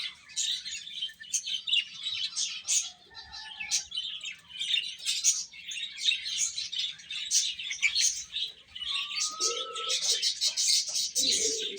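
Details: Baby chickens peeping busily while feeding, shrill chirps in quick irregular bursts throughout, with a few brief lower tones and calls, mostly toward the end.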